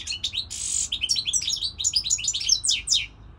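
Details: Goldfinch singing this season: sharp chirps, a drawn-out scratchy buzz, then a dense, jangling stream of high twitters that fades out.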